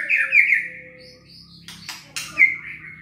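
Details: White-rumped shama lure song for provoking lazy birds: a slurred whistle, two short harsh rasps, then a clear ringing whistle, over a low steady hum.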